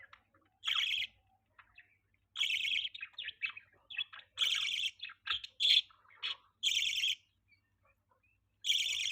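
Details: Budgerigar chirping: bright, high chirp bursts about every two seconds, with softer twittering notes between them against a quiet background.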